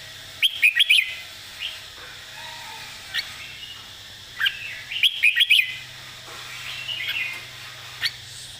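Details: Red-whiskered bulbul delivering clear, emphasised master-song phrases: two groups of rapid bright warbles with loud ticking clicks, and quieter isolated notes between them.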